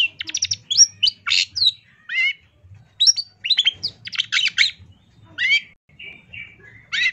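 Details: Long-tailed shrike (cendet) in a master recording for training songbirds, full 'tembakan' style: rapid bursts of sharp chirps, fast rattling trills and downslurred whistles in quick, varied phrases separated by brief pauses, over a faint low hum.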